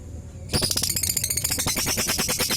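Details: Beginner caged lovebird singing a soft ngekek: after half a second of quiet, a fast, even rattle of sharp chattering pulses starts and runs on without a break, bright and high-pitched.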